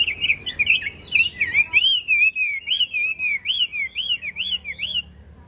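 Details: Caged, tame Chinese hwamei with a yellow bill and large build, singing continuously: a rich, fast warbling run of looping, slurred whistles that rise and fall without pause, with faint low background hum.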